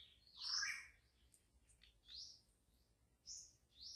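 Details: Wild white-rumped shama in deep forest giving short, bright, sweeping whistled notes, one richer warble near the start followed by several high rising chirps spaced roughly a second apart.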